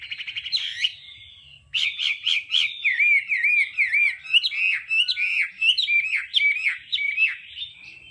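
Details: Hwamei singing in the varied, tone-switching đảo âm style used for voice training: a buzzy opening, a brief pause, then rapid rich whistled phrases that swoop up and down, sharp and repeated in quick succession.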